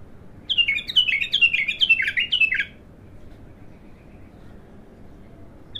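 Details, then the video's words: Abtar bulbul, raw and untrained, in its first song: a fast burst of about ten ringing down-slurred whistles lasting two seconds, then near silence with a soft background hum. "تغريد الابتر"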